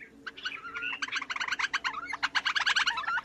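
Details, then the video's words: Black Crake of swamp and wetland edges with reed beds and emergent vegetation gives its distinctive odd call: a fast, wheezy bubbling chatter of rapid harsh notes with a few squeaky rising whistles. "The distinctive call is an odd wheezy bubbling and chattering."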